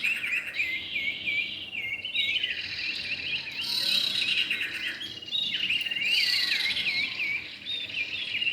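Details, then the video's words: Male and female common iora lure recording: looping, wavering whistled phrases and chattering notes in two bursts, over a constant high insect-like buzz. "pikat burung cipow jantan dan betina"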